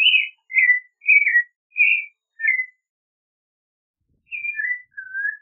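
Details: A Clay-colored thrush (Turdus grayi) sings five quick whistled, slurred phrases, pauses for over a second, then resumes with softer descending and rising whistles.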